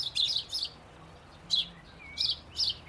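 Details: House sparrow chirping in a small garden near a road in spring: short, bright chirps in quick bursts of two or three, with pauses between groups, over a faint background hum.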